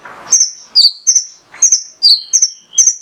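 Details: Male mangrove whistler song used as a lure to set other birds singing: a brief rustling noise, then about seven sharp high chirps and short downslurred notes, spaced roughly every half second.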